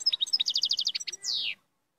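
European goldfinch song: a rapid run of bright tinkling notes, a quick rolled trill, then a long descending buzzy wheeze.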